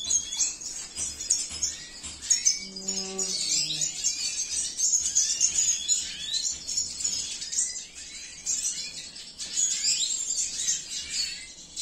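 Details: Captive male red siskin, cinnamon mutation, delivering a long, high, jumbled warbling song of rapid twitters, trills and sliding notes. A short stacked tone like a squeak sounds near the start, with a low hum throughout.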